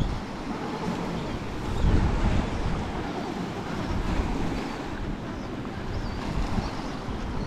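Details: Low rumbling ocean surf mixed with buffeting wind noise, swelling near the two-second mark, with no animal voices present.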